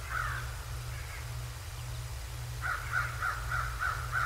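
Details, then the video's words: Bald eagles at Decorah North, picked up by a live nature cam on 7 January 2024 at 08:36: a single piping note, then a quick run of about six short, high chirps over a steady low hum. "Decorah North Bald Eagles"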